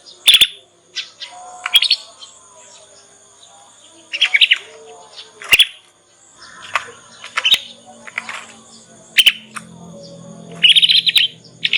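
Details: Juvenile Yorkshire canary learning ngriwik sounds, meant as a lure for other canaries to respond and copy; sharp chirps and brief scratchy bursts spaced a second or two apart across the recording, over a low hum.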